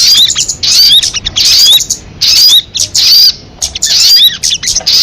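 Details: Crested jay call from a lure recording: bursts of scratchy, hissing rattle with squeaky rising notes inside, alternating quickly with short silent breaks.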